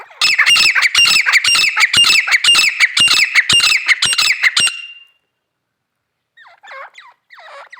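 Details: Female grey francolin uttering a loud, steady series of harsh squawking notes, about two per second, for nearly five seconds, then a few faint softer notes after a pause.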